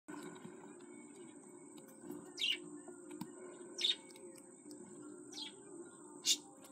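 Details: Baby budgerigar chicks, kept indoors, giving thin high descending chirps about four times, spaced one to two seconds apart, over a steady low electrical hum.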